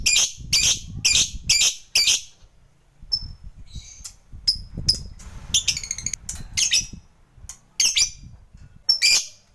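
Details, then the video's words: Loud harsh lovebird squawks in quick runs, a short rattling chatter midway, and low rustling between; used as a lure to get a fighter lovebird calling. "Pancingan Lovebird Fighter CEPAT Bikin Ngekek"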